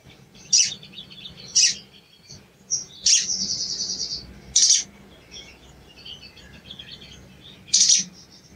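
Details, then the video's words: Luring calls of a sooty-headed bulbul, meant to provoke a silent bird: loud, sharp high chips at uneven intervals, one followed by a short, dense, buzzy twitter. "CUIT CUIT PANCINGAN EMOSI SOGON MACET BUNYI DAN KURANG GACOR"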